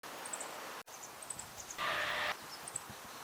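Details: A small sparrow-like bird, believed to be a female Meadow Bunting (others suggested Common Reed Bunting, Rustic Bunting, Black-faced Bunting or Long-tailed Rosefinch), gives short, thin, high 'tsit' calls, singly and in quick pairs, over a soft rushing background.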